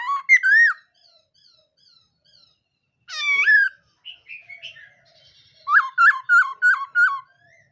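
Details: Black-throated laughingthrush singing in morning voice training: rich whistled phrases with strong harmonics, a sharp descending burst near three seconds, then a quick run of five to six repeated notes.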